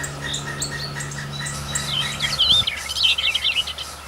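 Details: Woodpecker chicks being fed at the nest: after a steady low hum fades, a dense burst of high, thin, chittering chirps rises and falls rapidly, repeated in quick overlapping bursts through the second half.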